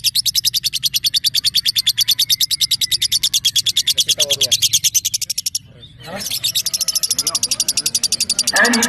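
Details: Singing-competition lovebird, a fighter-type female aged one and a half, from Balikpapan, gives a long, fast, steady trill of high buzzy notes, breaks off briefly with some rustling, then resumes the rapid series.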